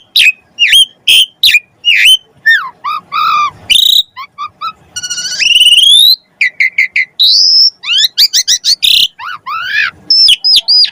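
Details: Lively Asian pied starling song with rich fill, used to prompt other birds to sing: rapid chips, warbled slurs, a long rising whistle, a drawn-out high note and a harsh rasp, then a dense, fast chatter.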